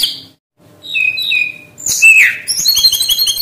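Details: Brown-chested jungle flycatcher song used to draw birds into singing: descending high whistles, a loud slurred whistle that rises and falls, then a quick series of thin, very high chirps.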